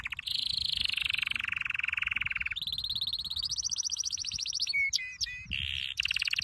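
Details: Canary training song: high rapid roll falling to a lower trill, then a rising rattle, sharp whistled notes and a short final trill.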